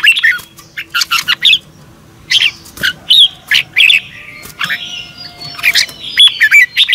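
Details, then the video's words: Red-whiskered bulbul morning song recorded for training other birds, a "double twist" voice style: short bright chirped and warbled notes in quick bursts, several calls overlapping, with a faint low background hum. "Luyện chào mào hót sáng 2022 - Hót hay nhanh căng lửa | Ép bổi Giọng xoắn kép 6789"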